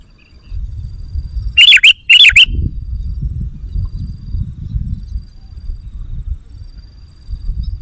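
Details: Sooty-headed bulbul lure call used to draw in and provoke wild bulbuls: two loud, harsh chirping bursts close together, then a low rumbling background with no further calls.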